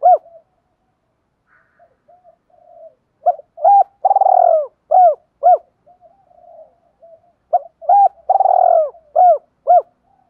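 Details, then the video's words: Spotted dove in the thổ voice style, played as a lure to stir a decoy dove into cooing: low hollow coos building to a long purring, burred note, then three arched coos, phrase given twice with soft quiet coos between. "tieng chim cu gay kich boi nhanh nổi hiệu quả"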